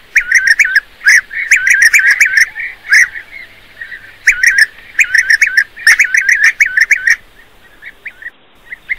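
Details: Several European bee-eaters (Merops apiaster) give rolling, liquid 'prruip' calls in quick, overlapping bursts, calling together with brief pauses between runs.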